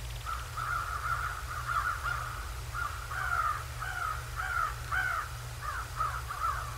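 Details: Bald eagles at the Decorah North nest, 01/07/2024 at 08:36. A high, thin chittering series of short whistled notes, some rising and falling, runs through the clip over a steady low electrical hum.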